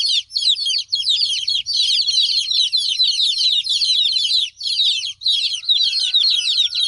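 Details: Chicks crying while their mother hen is away, a chorus of high, sharp descending cheeps almost without pause, broken by a few brief gaps; faint low hum underneath.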